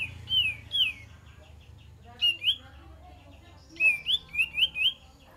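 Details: Cream-vented bulbul song used as a lure to draw wild birds: clear whistled notes, each sliding downward, given in short bursts of two, then a run of four quick slurred whistles, over a low background hum.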